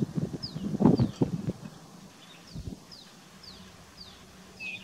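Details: A rufous-tailed lark calling in fog in India gives thin, high, downslurred call notes about twice a second, faint over low rumbling and rustling noise near the start.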